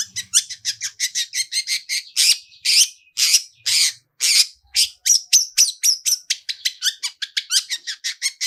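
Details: Long-tailed shrike lure song with a rich, varied "toet toet" style: a quick, nearly continuous string of sharp chips and scratchy bursts, some notes whistled, running for over eight seconds.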